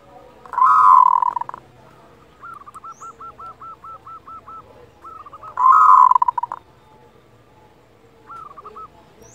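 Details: Local zebra dove producing kerot sounds, played to raise breeding desire and emotion. Two loud, rough churring bursts frame a string of about ten short, looping coo notes. One further looped note follows near the end.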